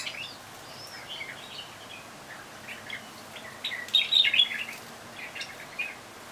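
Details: Balcony bulbuls give soft, scattered chirps, then a louder burst of rapid, twittering notes midway, followed by a few thin, high tweets, with low background hiss throughout.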